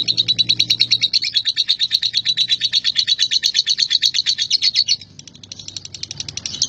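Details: Ngekek song from a male lovebird: fast, scratchy, high-pitched notes pulsing in a steady chatter for five seconds, then a brief softer pause before the trill picks up again.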